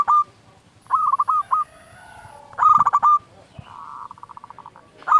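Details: Local zebra dove singing loudly to encourage other doves: clipped stuttering coos ending in long notes, and a softer rapid series of even coos near the end.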